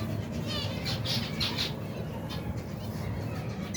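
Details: More than 120 pairs of finches and their young at their daily feeding in cold weather: clustered bright high chirps with wavering overtones crowd the first half, then thin out over a constant low hum.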